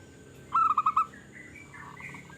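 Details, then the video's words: A brief burst of five quick, clear, evenly spaced cooing notes from a local zebra dove with a big voice, in a song used to lure zebra doves. A soft hiss fills the background and faint chirps follow. "Perkutut Lokal Gacor Suara Besar Suara Paling di Sukai Burung Perkutut apa Saja"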